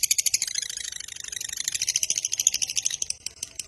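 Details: Lovebird giving a long chattering trill meant to lure and train other lovebirds: dense, rapid high-pitched notes pulsing steadily throughout, slightly softer near the end.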